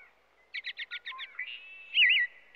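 An American robin gives a quick run of six short, chirping notes, then a brief slurred, warbling phrase in a clear mid-high pitch.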